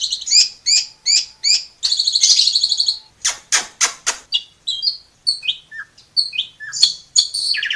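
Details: Asian pied starling (jalak suren) giving long, vigorous song used to train young birds. Short harsh bursts repeat about four times, followed by a buzzy trill, sharp clicks, then scattered whistled and squeaky notes.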